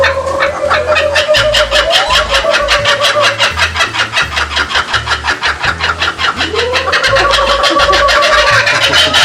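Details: Laughing Kookaburras at Bee City Zoo, Cottageville, South Carolina, give a loud, harsh cackling chorus of rapid chuckling notes, about two or three a second, with rising hooting tones swelling through it.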